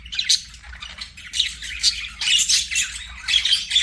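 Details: Budgerigars singing while playing, a dense run of scratchy, buzzy chirps and squawks with short whistled notes, overlapping in bursts across the whole clip with barely a pause.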